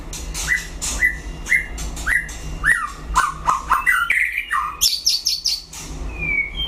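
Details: Singing in a one-on-one duel, a white-rumped shama repeats a crisp downslurred whistle about every half second, then speeds into varied dropping notes and high sharp flourishes, ending with a drawn-out whistle over a faint hum.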